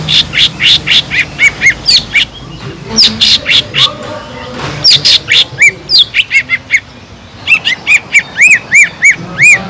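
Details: Sumatran leafbird in vigorous song meant to excite listless captive leafbirds: dense bursts of sharp clicks and chirps followed by rapid runs of arched whistled notes, loud and continuous.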